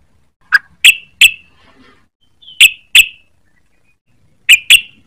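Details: Young sooty-headed bulbul learning to sing, giving sharp, clipped chirps in loose clusters of two or three, separated by short silent gaps, with faint soft twittering between them.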